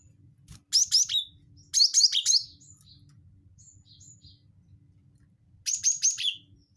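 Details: Cinereous tit lure call of the wingko type: three bursts of quick, bright, high chirps falling to a lower final note, with soft faint twitters between them.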